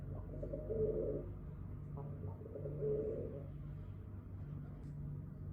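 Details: Pigeons at a window: two soft, low, rolling coos about two seconds apart, muffled as if heard from indoors, over a steady low electrical hum.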